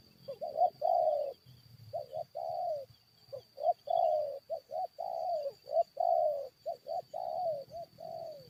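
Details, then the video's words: Spotted dove luring wild forest birds, with a rapid run of many coos: double short notes alternating with longer drawn coos, almost continuous, over a faint steady whine. "PIKAT FIGHT DENGAN BURUNG HUTAN"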